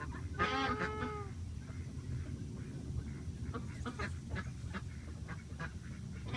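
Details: Sleepy Embden gosling honking and snoring as it falls asleep: a short harmonic peep early on, then scattered faint clicky snuffles over steady low hum.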